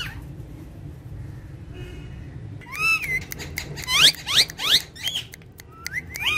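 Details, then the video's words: Pet parrots, described as talking and dancing, on a charpai: after a quiet start, a burst of loud, rising, harmonic squawks and upslurred whistles comes in quick irregular succession, with sharp clicks mixed in. "Funny Speaking Parrots On Charpai"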